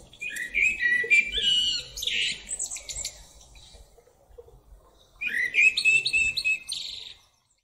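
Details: A blackbird perched atop a tree sings two unhurried phrases about five seconds apart, each a mellow fluted warble breaking into a higher, scratchy twitter, over a faint background hum.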